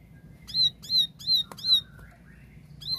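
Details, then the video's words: Ciblek sawah, the plain prinia, singing 'tembakan' style: four loud, sharp, high notes in quick succession, a pause with a faint thin whistle, then the series starting again; a low background hum. "Tembakan Gacor Jernih Ciblek sawah"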